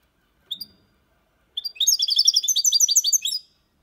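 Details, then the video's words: Goldfinch song of the Málaga copy type for stimulating young birds: a single high note, then a pause and a long run of rapid, rhythmic tinkling twitters. "Cantó de Jilguero (copia malaga ) para Estimular niños pajaros/Chant de Chardonneret élégant"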